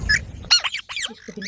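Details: Green parrots kept as pets, several birds being fed maize indoors and squabbling over food; brief harsh squeaky squawks in quick succession, rising and falling, with a short low rumble at the start.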